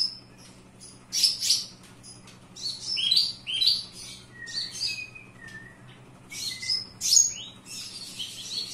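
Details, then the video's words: Javan bush lark, kept indoors, pouring out an energetic song of sharp high chirps and buzzy trills interspersed with lower drawn whistles, in irregular bursts separated by short pauses; soft hum underneath. "Branjangan dalam ruangan super gacor"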